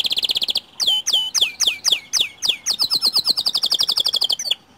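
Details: White canary song meant to prompt other canaries to sing: opens with a rapid buzzy trill, then a series of sweeping downslurred whistles, ending in a quick rolling trill of crisp repeated notes.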